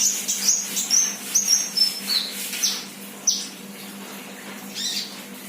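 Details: A 'gacor' song from a 'bahan' sunbird: a rapid string of high, sharp whistled notes that drift slightly downward, then a few isolated chips. A low hum sits in the background.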